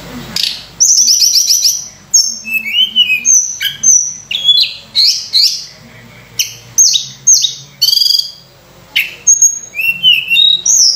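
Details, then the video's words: Lively Sunda robin song for luring other birds: bright whistled phrases, chattering trills and sharp high notes delivered in rapid bursts, with short silent gaps between some phrases. "tledekan gunung gacor full isian mewah‼️untuk pancingan"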